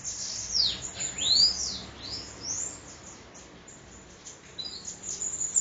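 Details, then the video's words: Sibite in Parnamirim, Rio Grande do Norte, singing another phrase. Several high, steep down-swooping whistles come in quick succession, then fade, with a brief thin twitter near the end. "Sibite endemoniado 2 parnamirim~rn"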